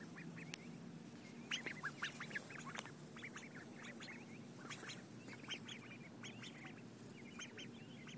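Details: Ducks being fed, recorded in 2011: many scattered short nasal quacks from several birds over a steady hiss and low murmur of background noise.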